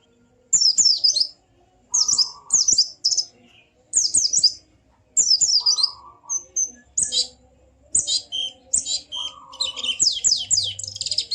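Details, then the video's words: High white-eye song for getting a quiet bird to sing: repeated short twittering phrases of slurred notes about every 1.5 seconds, a lower buzzy hum under some, ending in a dense fast chatter. "Burung Pleci macet pasti langsung ikut ngalas dan buka paruh"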